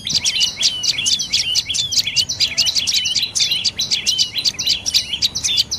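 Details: A dark-necked tailorbird calling in fast, trilled volleys of piercing chirps, each note quick and bright, running almost continuously throughout.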